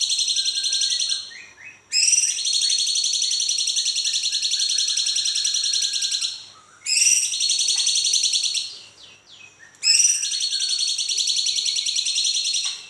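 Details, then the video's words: Bulbul known as cucak cungkok giving long high rolling trills, used to prompt other birds to sing, in sustained bursts of several seconds with short breaks and soft notes between. "cucak cungkok ngeroll panjang. cocok buat memancing cungkok bahan biar bunyi."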